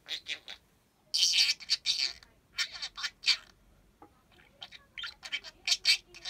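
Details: Chatty pet parakeet reproducing words it picked up, stringing them together; loud, sharp high-pitched syllables, a dense burst early, then quicker chirpy bits after a short pause.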